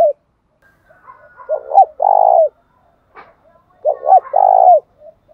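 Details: Spotted dove acting as a decoy to stir wild doves into calling. Two loud phrases about two and a half seconds apart each give a doubled short note and an extended low coo. Soft background murmurs and a brief click fall between them.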